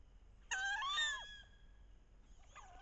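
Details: Loud vocalization of a paired wood duck hen on a bayou in late October, head-down chasing and posturing to entice drakes in the mating ritual; a strong upslurred squeal, then softer answering squeals a second later.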